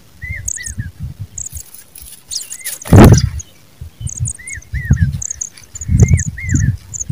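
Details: A pipit busy feeding its young gives crisp, down-curving call notes in pairs and short runs, alongside rows of tiny high chirps; one loud thump midway and low rumbling noise outdoors.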